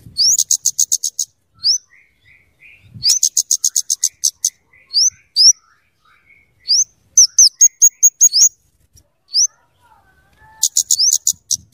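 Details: Scarlet-headed flowerpecker song used for luring and as a tutor voice: groups of rapid high ticks alternating with thin rising whistles, repeated across the recording with faint soft background notes.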